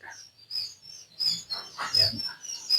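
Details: Day-old quail chicks on their first day in a farm brooder, giving many thin, high peeps that overlap in quick bursts, over soft rustling and a few dull knocks from the brooder.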